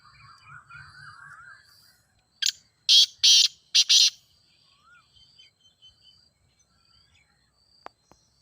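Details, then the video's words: Grey francolin (ghogha teetar) calling: after soft warbling twitters from another bird, a sharp lead note and three loud harsh rasping notes come in a quick burst, followed by faint chirps and a couple of clicks. "Teetar Voice for Calling"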